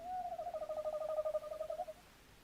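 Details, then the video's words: Tawny owl, 11 January 2026: a sustained tremulous hoot of about two seconds, made of rapid wavering pulses at a fairly even low pitch, clear against a quiet background. "Tawny owl"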